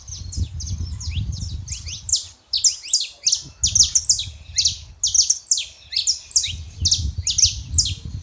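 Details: Continuous quick high chirps from a male and female saffron finch, notes tumbling in a steady stream over low background rumble, played to get a quiet canary singing.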